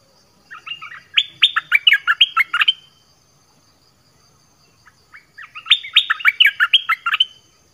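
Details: Orange-headed thrush singing as a lure for wild birds: two strong phrases, each a quick, jumbled string of clear whistles and chirps lasting about two seconds, with a pause between.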